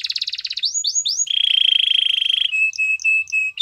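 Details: Singing canary: rapid stuttering notes, three upswept whistles, a long rolling trill lasting over a second, then short clear whistled tones repeated several times.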